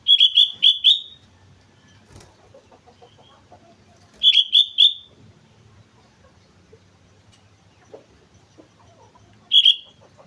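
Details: Sooty-headed bulbul on Mount Slamet singing energetically: three bursts of rapid, gurgling fluty notes, each of four or five syllables, spaced several seconds apart with quiet between.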